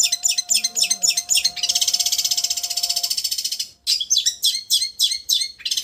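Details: Long-tailed shrike in raja getar trilling style, tutor recording: quick sharp chirps lead into a long, fast, buzzing trill, a short break, then more loud, clipped chirps, with a faint hum underneath.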